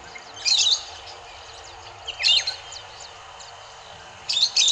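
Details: Rosy-faced lovebirds, likely escaped aviary birds now resident around Johannesburg, feeding in trees at Kyalami, Midrand, on Syringa berries, Yellowwood and California Pepper. Three bursts of shrill, high chirps with quiet gaps, over a faint background hiss.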